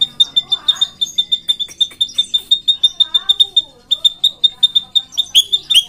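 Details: Lively, vigorous drongo delivering a long rolling song ('ngeroll panjang'). High piercing notes repeat rapidly and evenly throughout, with lower swooping whistles woven underneath midway and a squeaky flourish at the end.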